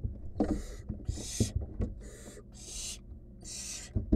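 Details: Barn owl chick, wild, in a research nest box while gulping down a rodent; five loud raspy hiss bursts alternate with short gaps, with scattered knocks and thumps of movement underneath.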